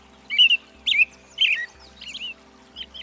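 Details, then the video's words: An American robin sings short, slurred caroling phrases, about five in three seconds, the later ones softer, over a faint low steady hum. "Red-breasted Thrush Singing (American Robin) Zorzal Migratorio"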